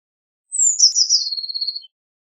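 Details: One blue tit phrase: a high sliding whistle that drops steadily into a quick, fading trill of evenly spaced pulses, lasting just over a second against complete silence.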